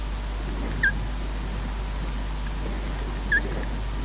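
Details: Scottish osprey at Loch Garten giving chirps while one adult slowly replaces the other on the nest: a pair of short, down-curving chirps roughly two and a half seconds apart above low rumble.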